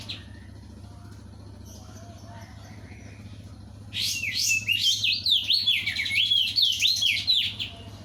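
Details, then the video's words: Sooty-headed bulbul in full, loud song: after a few quiet seconds of faint background chirps, a bright burst of rapid, varied whistled notes swoops up and down in a continuous warble for about three and a half seconds, over a low steady hum. "Opior jambul gacor suara kencang"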